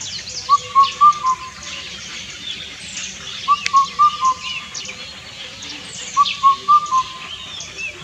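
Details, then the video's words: Three spaced phrases of Indian cuckoo (Cuculus micropterus) song, each four soft whistled hoots falling slightly at the end, over quiet background birds and a brief click. "Unique Bird Calls - Indian Cuckoo"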